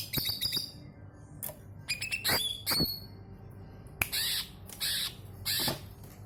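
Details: Greater green leafbird singing as a lure for other birds: quick clicking notes, then sharp whistled upslurs and downslurs, followed by loud, raspy squawk bursts spaced about half a second apart.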